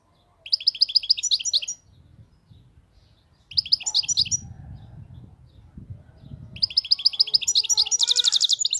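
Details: Wild European goldfinch singing a song described as free of faults: three bursts of rapid, tinkling high twitters, with a sharper buzzy trill closing the last phrase and faint low rumbling between phrases.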